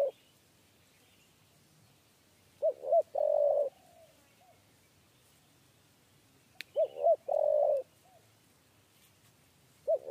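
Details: Spotted dove calling in the 'kuk 3' pattern as it is lured to a cage. Two full phrases about four seconds apart, each with short arched notes ending in a long even coo. A soft faint note trails each phrase.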